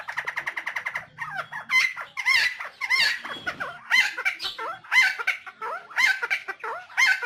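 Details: Helmeted friarbird (cucak timor, koak kaok) of Nusa Tenggara, recorded as a lure and training track: a quick run of clipped notes, then a dense, busy stream of overlapping nasal, gurgling and slurred phrases, roughly one per second.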